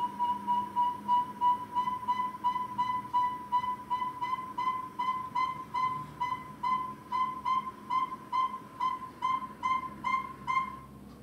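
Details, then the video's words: Northern saw-whet owl gives a long, steady series of clear, mid-pitched whistled toots, nearly three per second, like beeps, with no other sounds. "So this is what you listen for a northern saw-whet owl."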